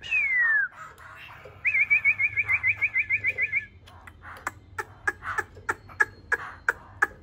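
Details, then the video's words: Laughingthrush singing (khướu bổi): one clear descending whistle, then a fast rattling series of about twelve short looping notes. Sharp clicking taps follow at uneven intervals. "khướu bổi hót"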